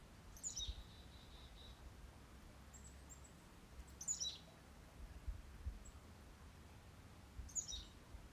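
Black-capped chickadee giving three high, quick, falling call phrases about every three and a half seconds, the first trailing into buzzy notes, over a low background rumble.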